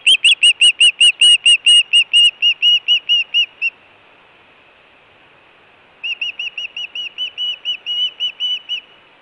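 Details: Hellgate osprey calling at the nest: a fast series of bright arched whistled chirps for over three seconds, a pause, then a second slightly softer and uneven run of chirps.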